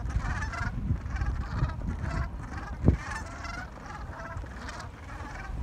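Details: A group of gulls in New England at dawn, before sunrise, in communal chatter. Many overlapping rough, nasal squawks repeat every half second or so, with one sharp knock midway, over a constant deep background rumble.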